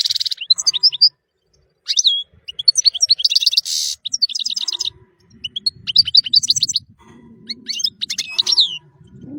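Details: Tinkling, liquid European goldfinch song, played to tutor other songbirds: quick twittering phrases mixed with buzzy rasping bursts, delivered in clusters with short gaps, over faint low background noise.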